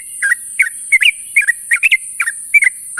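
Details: Sooty-headed bulbul in the morning, calling its companions with rapid bubbly double notes, each slurred up and down, about three per second, backed by a continuous high hiss.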